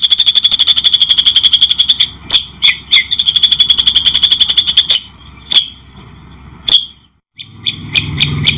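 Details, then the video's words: Murai batu (white-rumped shama) training recording in cendet style: a rapid run of repeated high chattering notes gives way to scattered sharp chips and whistled flicks, with a short silence and a low rumble near the end. "masteran murai batu cendettt mewah suara jelas jeda"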